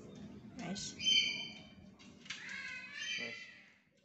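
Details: A tame black-capped lory, known to chatter and talk, gives two drawn-out raspy squawks with a brief bright overtone, fairly soft against a quiet background.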